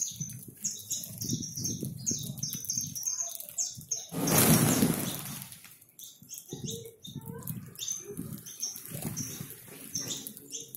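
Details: Free saffron finches, more than 100 of them, feed in a backyard, keeping up a continuous chatter of high chirps; midway a loud rush of many wings as the flock takes off briefly drowns the calls.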